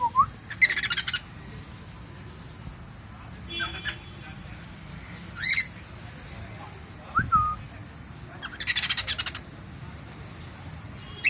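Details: Pet cockatiel letting out loud, harsh, raspy squawks in separate bursts, mixed with short chirps and a brief rising whistle. A quiet room lies between the outbursts.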